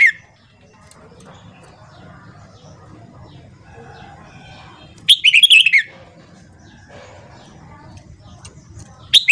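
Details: Red-whiskered bulbul morning song for training: an explosive whistled warble of several rippling notes sliding down in pitch, lasting about a second, amid quiet low background hum, with brief song fragments at the start and end.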